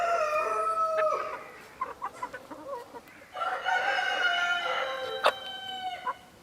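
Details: Partridge-coloured Araucana chickens, a Chilean breed: long drawn-out harmonic calls open and close the passage, with short clucks scattered between them.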